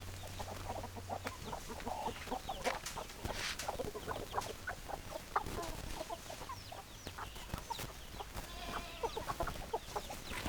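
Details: ['Hens clucking together in a dense, continuous chorus of short, overlapping clucks over steady background noise.']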